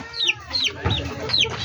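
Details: Backyard poultry chickens: four clear, high peeps, each sliding sharply downward, spaced roughly every third of a second, with a soft low hum underneath.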